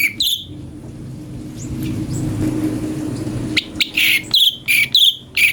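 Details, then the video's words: Brown-breasted Bulbul (cucak cungkok), a tutor voice for magpie-robins: one chirp, then a long quiet gap with soft low background noise, then a tight burst of sharp, whistled chirps. "fariasi suara cungko buat masteran murai"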